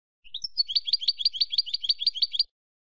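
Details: European goldfinch, silvestrismo song: two rising lead-in notes, then a fast, steady rattle of high, tinkling double chirps for about two seconds, in a clean recording.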